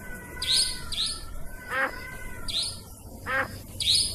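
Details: Trapping-lure recording of nightjar calls, said to work day and night and to include forest nightjar voices. Crisp high chirps repeat in pairs, broken twice by a short buzzy downward sweep.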